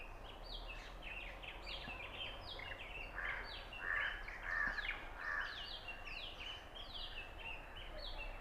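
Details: Oriental magpie-robin singing at Punnad, Iritty, filmed with a Nikon Coolpix B600: a rapid, varied run of clear whistled notes, many sliding downward, mixed with a few harsher chattering phrases midway over steady background hiss.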